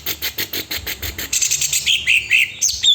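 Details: Greater green leafbird giving rapid repeated chip notes about four per second, followed by a sweeping whistled phrase rising and falling, with a faint low background hum.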